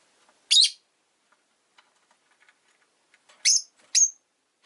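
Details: One of five pet rosy-faced lovebirds, caged by a window on a calm afternoon, gives three sharp, shrill chirps, one at the start and a close pair near the end, with soft ticks between and faint street noise.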